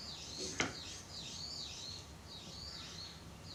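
A Brown-eared Bulbul gives high, shrill calls that waver up and down in repeated loops, with a single sharp click near the start.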